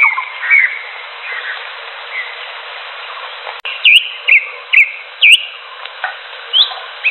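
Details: Greater green leafbird in the wild; faint, rambling whistles open the passage, then a sharp click is followed by loud, upward-hooked whistled notes repeated irregularly, with softer chips between them.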